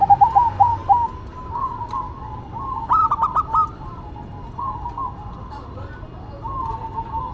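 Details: Local and cemani zebra doves singing as a duet, with rolling, bubbling coos trading back and forth. A louder clipped burst falls mid-way, and quieter answering phrases follow over faint background noise.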